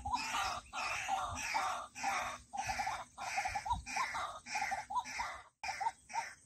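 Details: White-breasted waterhen calling in steady bursts about every half second: rough, squawking croaks with a hoarse, grating quality, briefly pausing near the end.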